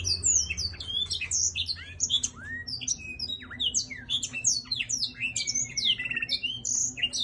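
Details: Black-throated laughingthrush in song while dancing: dense torrent of sharp whistled notes, upward and downward slurs and brief chattery phrases without pause, a soft steady low hum in the background.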